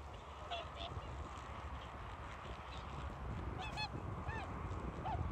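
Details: Whooper swans, with an adult bird calling to signal the flock that it will soon take off: a few scattered nasal, trumpeting honks over a steady rumble of wind and background noise.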